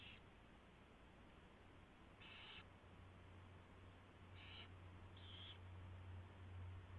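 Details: Owl at its nest, 4:21 AM on February 24, 2016, as a mouse is delivered and fed; four short hoarse hissing screeches, one at the start and three later, over a rising low hum.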